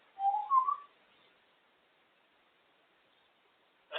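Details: African grey parrot, female, amusing herself atop her cage; a short rising two-part whistle, then silence and a brief click at the end.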